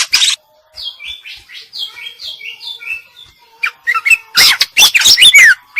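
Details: A female greater green leafbird sings isian-style, with soft descending whistled slurs repeated about every half second, then loud, dense bursts of sharp high chirps and twittering.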